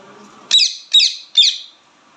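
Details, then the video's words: Loud chirping of an Indian ringneck parrot: three piercing, harsh squawks, each sharply attacked and quickly fading, spaced roughly every 0.4 seconds after a brief quiet start. "ringneck parrot/natural talk sound"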